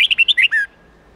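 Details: Red-whiskered bulbul training song in the 8-9-10 note style, used to teach young birds a standard wild-forest voice: a quick phrase of six clear, bouncing whistled notes, the last one longer and falling, in near silence.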